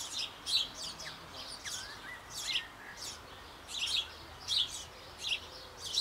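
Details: Feeding time for sparrow nestlings in a birdhouse on an old apple tree in Bavaria, just before they leave the nest; loud, high scratchy chirps come in rapid irregular bursts, with a few thin sliding notes between them.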